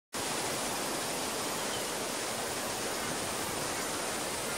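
Steady, loud rushing noise like a waterfall or stream fills the whole recording, with no animal calls heard.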